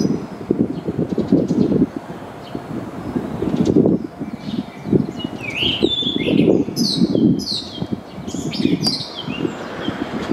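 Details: A male blue rock thrush sings short, fluty whistled phrases with quick rising and falling slurs while displaying, spreading its wings and running along an apartment handrail, over a low rumbling background of muffled thuds or traffic.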